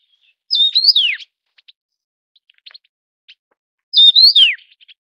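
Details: The Taiwan yuhina is a bird endemic to Taiwan's low-, mid- and high-elevation mountains. It gives two bright, high whistled phrases about three seconds apart, each a quick wavering note slurring downward, with faint soft ticks between.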